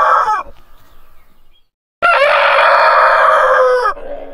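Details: Rooster's morning crow, anticipating sunrise and signalling to other roosters: after a clipped opening note and silence, one loud, sustained cock-a-doodle-doo of nearly two seconds ends in a falling tail.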